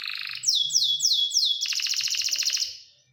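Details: Canary delivering a short buzzy roll, then four loud sweeping whistled notes falling in pitch, then a fast pulsed rattle that fades out; a low hum is heard at the start.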